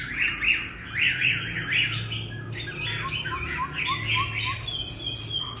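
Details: Chinese hwamei, a kept bird about to go to a new owner, singing loudly and richly: clustered slurred whistles in quick bursts, then a fast run of short dropping chirps mixed with higher drawn-out whistled notes, over a faint low background hum.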